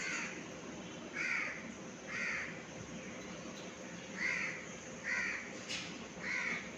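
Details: Pet cockatiels during flying practice give harsh, screechy calls, each under half a second, repeated at uneven intervals.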